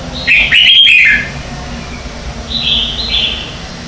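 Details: Red-whiskered bulbul competitive morning singing, recorded in 2019 as lure song for training caged birds: a loud, tumbling warbled phrase, a short pause, then two softer high whistled notes close together.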